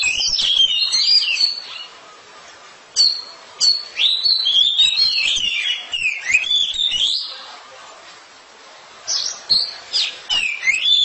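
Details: Oriental magpie-robin kept at home, singing loudly. Bright whistled phrases with quick chips and twisting slurs come in bursts, separated by quieter gaps of several seconds.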